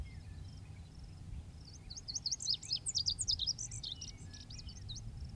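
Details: Singing male lazuli bunting delivering a quick series of different high, squeaky, slurred syllables for about two seconds, then a few trailing notes, over continuous low background rumble.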